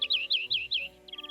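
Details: Male European greenfinch (Chloris chloris), arriving in early spring in forest-steppe near people, sings five quick, twittering phrases that dip and rise, then a fast run of bright, even trilled notes.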